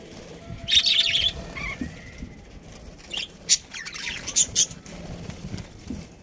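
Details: Pet budgie giving a short raspy chirp burst, then scattered sharp, high chips and brief squawky notes over a quiet background.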